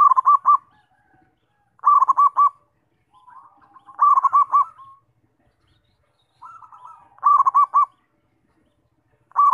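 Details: Zebra dove singing to provoke other doves: a steady series of bubbly phrases, each three or four quick, emphatic coo pulses, repeated about every two to three seconds with softer murmuring coos between.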